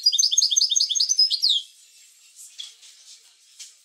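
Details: Caged European goldfinch singing, offered to stimulate other goldfinches to sing: a fast run of high, bright twittering notes repeated in quick succession for about a second and a half, then fainter scattered chirps.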